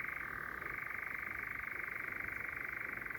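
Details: European nightjar churring very close at night in Sherwood Forest: a loud, continuous, rapidly pulsing mechanical trill that shifts pitch slightly near the start, with a second bird calling far off.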